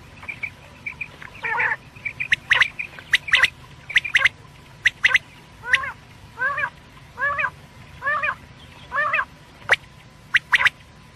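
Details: Quail (batair) calling, given for use at night: a series of short arched, chevron-like notes repeated roughly once a second, mixed with sharp clicking ticks and a steady faint hum in the background.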